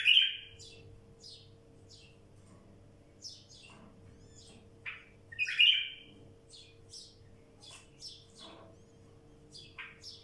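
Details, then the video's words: Wild bulbul singing: loud, slurred whistles open and recur midway, mixed with scattered sharp, high chirps and short descending notes at an irregular pace, over a faint steady electrical hum. "تغريد بلبل وحشي"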